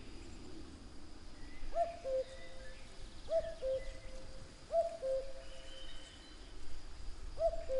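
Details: Common cuckoo calling cu-coo four times in a regular series, the first note slightly higher than the drawn-out second, with scattered faint songbird notes and gentle background noise.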